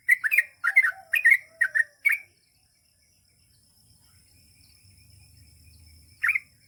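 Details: Sooty-headed bulbul, gacor long-ropel singing: a rapid run of five chirpy slurred notes, then a long pause with faint low rumble before one final chirp.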